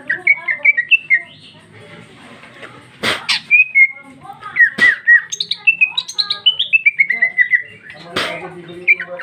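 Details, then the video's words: Greater green leafbird (cucak ijo), female, in loud free-flowing song with varied fill, 2021. Quick whistled notes and descending slurred runs, broken by a few sharp snapping bursts. "Cucak ijo betina paling gacor ngeplong isian super mewah"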